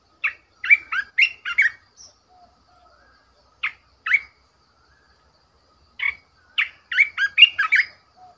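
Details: Caged red-whiskered bulbul kept as a decoy, singing several bouncy phrases of quick slurred whistles, separated by pauses of a few seconds, plus a couple of isolated two-note calls. The setting is otherwise quiet.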